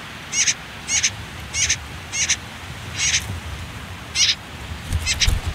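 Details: Nestling common whitethroats, last day before leaving a nest tucked under reed and nettle cover by a river, give short scratchy high calls at a steady beat, about one every 0.6 seconds.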